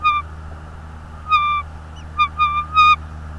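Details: Afternoon calling of a bald eagle at its Northeast Florida nest, 24 January 2022: thin piping whistles, a long steady note, then a run of quick chirps and drawn-out squeals close together.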